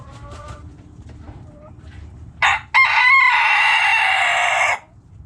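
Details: Backyard rooster gives a powerful crow: a short burst, a brief break, then a long, bright, sustained call lasting over two seconds. A few faint hen clucks come first.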